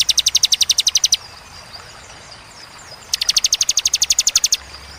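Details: Bar-winged prinia delivering fierce, clear 'tembakan' bursts with pauses: two volleys of rapid, evenly spaced high ticking notes, about ten per second, separated by two seconds of quiet.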